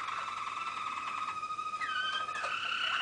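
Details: Malinois waterslager canary singing in 2013: a sustained tone held near steady pitch with faint rolling texture, then liquid gliding notes that bend downward before a steadier high trill.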